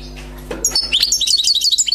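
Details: Newly trapped wild European goldfinch breaking into song: a few soft sounds, then from mid-clip a lively, high, tinkling twitter of quick bright notes continuing to the end, with a low steady hum underneath.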